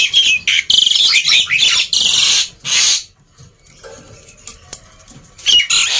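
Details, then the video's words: Black-winged myna's loud harsh song, meant to make quiet birds sing; rapid rasping squawks and hissing bursts in quick succession, then a quieter passage with faint notes before chatter resumes. "Kicauan Burung Jalak Putih Gacor Ribut || Pancingan Burung Jalak Malas Bunyi"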